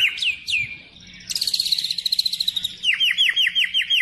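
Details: White-rumped shama, locally murai batu, in full lure song: two downslurred whistles, a long, high, rapid trill, then a quick series of falling whistled notes, with faint background noise.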